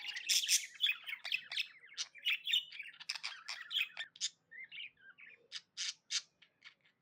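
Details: Budgerigar kept as a tame pet, chirping happily: a dense, fast run of chattering chirps and squawks about four per second, thinning into spaced sharp notes toward the end.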